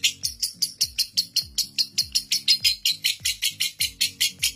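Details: Record-holding lovebird, famed for a seven-minute unbroken ngekek and used as a master for young lovebirds, giving an evenly spaced series of sharp, high chattering pulses, about five per second, against a beating music track.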